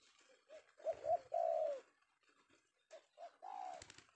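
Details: Male spotted dove, caught in the afternoon and prized by trappers, gives a low cooing phrase: two short soft notes, then a long drawn-out coo. After a pause it repeats with two short notes and another long coo.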